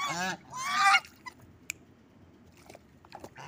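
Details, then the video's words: Two harsh, nasal honks from angry geese in the first second, the second louder and rougher, then quiet with a few faint clicks and rustles. "angry geese"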